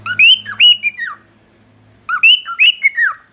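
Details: Cockatiel singing the original song of its species: two bursts of bright whistled notes, each a quick run of rising and sliding phrases near the same pitch, separated by about a second of silence, with a faint low hum beneath the first.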